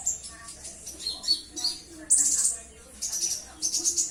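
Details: Purple-throated sunbird (konin), a tiny long-billed nectar feeder valued for its melodious voice and imitation of other species; dense, shrill high-pitched twitters and sharp tweets in quick clustered bursts, with brief pauses between.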